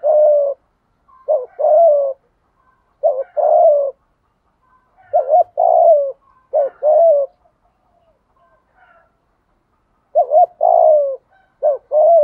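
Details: Spotted dove calling as a lure for wild doves gives repeated low cooing phrases at uneven intervals. Each has short clipped notes leading into a longer descending coo, with quiet pauses between bursts.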